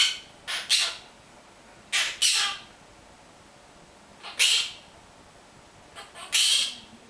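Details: A monk parakeet kept as a pet repeats its name and Italian words like love, kiss and come here, producing paired rasping squawk-like syllables in four uneven clusters with silent gaps.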